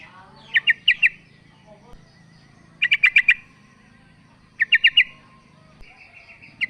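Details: Sooty-headed bulbul female calling the male, a lure for a bird reluctant to call. Short clusters of three or four quick chirps recur with gaps, and a sustained buzzy note closes the sequence.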